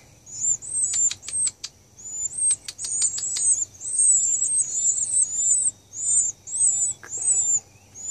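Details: Baby birds near Nashville, Tennessee, begging while they wait for their mother to return with food: a continuous chorus of very high, squeaky, overlapping chirps in short pulses, with scattered ticking notes.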